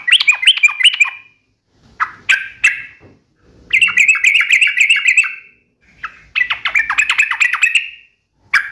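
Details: Sooty-headed bulbul pouring out sharp, fast uplik nembak ropel song, used to make other bulbuls reply. Rapid bubbling chatter in runs of a second or two, with sharp single notes between and a soft low background murmur.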